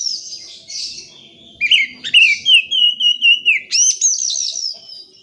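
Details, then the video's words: Oriental magpie-robin lure song for coaxing silent birds into singing: a long sustained whistled note, then quick chirps, sweet slurred whistles and a high rising flourish. "PANCINGAN KACER MALAS BUNYI,, LANGSUNG NYAUT"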